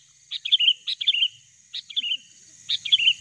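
Sooty-headed bulbul giving short, bubbly, liquid phrases that dip at the end, three bursts about a second apart, over a steady high insect hiss.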